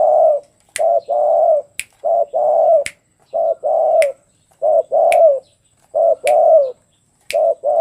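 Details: Tame spotted dove being readied for a song contest: low, mellow coos in short paired phrases, repeated steadily with brief pauses, while sharp finger-snap-like clicks sound about once a second between phrases.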